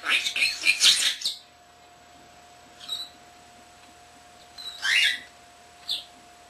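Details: Young captive common starling talking indoors: an opening cluster of dense, crackly chatter lasting about a second, followed after a pause by three isolated short calls, one a louder rasping burst, against a faint hum.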